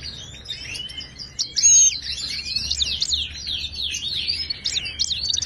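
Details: Moroccan goldfinch in authentic Wedani song, played to stimulate a quiet caged bird: an unbroken, dense stream of high, tumbling twittered notes with quick up-and-down slurs and no pauses.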